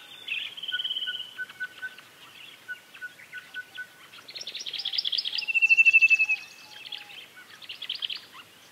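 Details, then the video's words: Common linnet song in natural surroundings: a fast, chattering twitter of rapid high notes, a bright rattling trill near the middle, with evenly spaced lower piping notes running underneath. "Common Linnet Song"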